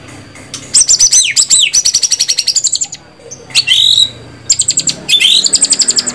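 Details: White-rumped shama delivering fast repeated high notes, downward swoops and upward-sweeping whistles in several bursts with short gaps.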